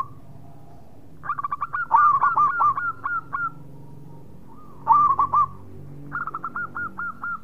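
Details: Zebra dove, a local-type bird kept for its prized song, giving cooing phrases: a soft opening note then rapid stuttering, rolling coos around one pitch, in three bursts separated by pauses; quiet background.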